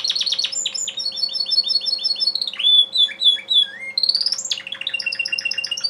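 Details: Male Timbrado canary singing rapid trills and repeated metallic notes, then several long falling whistles before returning to fast rattling phrases; continuous and loud, a low hum in the background.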